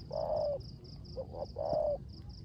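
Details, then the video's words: Spotted dove, a decoy owned by a keeper, calling 'rước gù' coos in rainy conditions; a long low coo, two quick soft hoots, then another sustained falling coo, over rhythmic high-pitched pulsing. "Cu Gáy || sở hữu mồi RƯỚC GÙ trong mưa"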